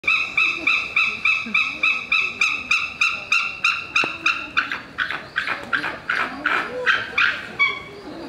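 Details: Captive white-tailed sea eagle at Ueno Zoological Gardens, Japan, giving a rapid series of sharp, yelping cries. About twenty bright, harmonic-rich notes come in quick succession, growing harsher and looser toward the end.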